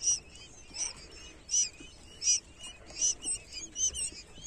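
Newly hatched quail chicks peep in high, thin chirps, several overlapping, roughly one to two per second.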